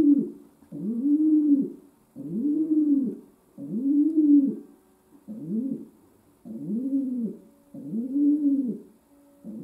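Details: Domestic pigeon kept as a pet coos indoors in a regular string of eight low, arched, burbling phrases, roughly one per second, over a quiet electrical hum.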